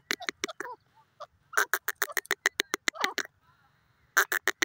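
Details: Grey francolin, known locally as dakhni teetar, giving loud, harsh, clipped notes in rapid bursts, with a short pause and then another fast run of sharp repeated notes; faint softer sounds between the series.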